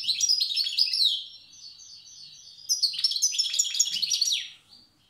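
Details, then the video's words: Tiaret wild goldfinch in the old singing style: chattering twittered phrases, a softer stretch of repeated chips, then another lively tinkling run ending in a swooping slur. "تغريد حسون تيارت( أداء الحسون البري اللغة القديمة)"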